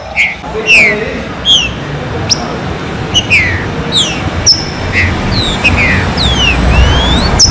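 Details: Green-winged saltator in the chuva serrinha song style, used to warm up a bird: loud, clear downslurred whistles, some bending upward, sounding every half second or so over a steady low rumble and hiss.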